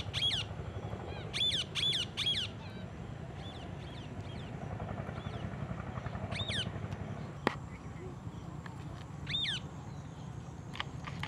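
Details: Green ringneck parakeet giving loud, shrill, harsh screeches in quick bursts of two or three, then fainter scattered calls, with a sharp click and steady low rumbling noise throughout.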